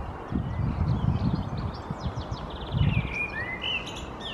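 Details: In a Helsinki conifer in April 2022, a perched common blackbird sings: a stretch of high, rapid twittering gives way to short mellow, gliding whistles near the end, with low thuds and background rumble throughout.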